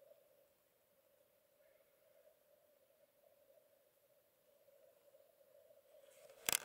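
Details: Distant black grouse display at a lek in a raised bog at Vargavidderna nature reserve, Tiveden, Sweden, early morning of 25 April 2022: a steady, low bubbling murmur without a break, ending with a sharp mechanical click.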